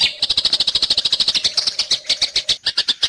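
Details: Fighting-style Eurasian tree sparrow song used as a training master for other songbirds: fast, evenly repeated sharp high chirps, about seven per second, over a faint low hum.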